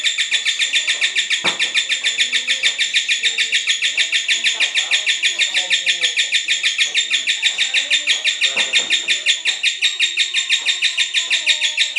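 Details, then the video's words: Cinderella lovebird giving a ngekek song, used as a trigger and tutoring recording for other lovebirds: a long, unbroken, fast chatter of high, sharp chirps, about three per second, steady in pitch for twelve seconds, with faint lower sounds beneath. "Pancingan ngekek lovebird cinderella cocok buat masteran"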